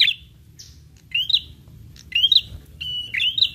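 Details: Lure call for prinias: short high chirps that rise and flick upward, given in quick pairs roughly each second, with a brief buzzy trill and faint low background noise.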